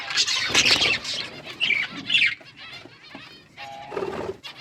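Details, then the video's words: Budgerigar flock in an outdoor aviary, chirps arriving in separate bursts of high scratchy warbling with pauses between, and a short steady tone near the end. "Budgies flocks in outdoor aviary budgies colour budgies chirping sounds"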